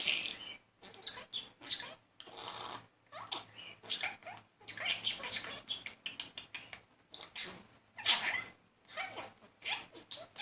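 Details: Male budgie chatting up a female in a room, persistent but unsuccessful courtship; rapid rasping chatter of clicks, squeaks and warbled notes running almost without pause.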